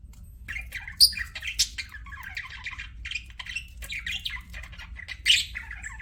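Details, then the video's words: Pet budgerigars chirping: dense, scratchy warbled chatter with sharp high squeaky notes standing out near the first and fifth seconds, over a faint low background hum. "BUDGIES CHIRPING SOUND"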